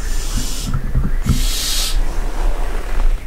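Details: Barn owls (Tyto alba) at night in a castle dovecote at Barbirey-sur-Ouche; two harsh, hissing screeches, each well under a second, the second stronger, over a steady low rumble.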